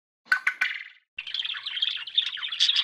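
Budgerigar giving three sharp, quick chirps, then after a brief pause a steady, bubbly warbling chatter of high, scratchy notes.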